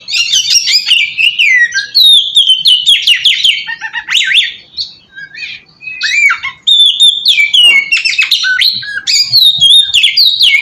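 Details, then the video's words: Oriental magpie-robin song used as a lure to draw other magpie-robins: loud, rich run of whistled, slurred and chattering notes between mid and high pitch, with rapid varied phrases and brief pauses. "suara pacingan burung kacer ampuh!! buat mancing kacer bahan dijamin langsung nyaut"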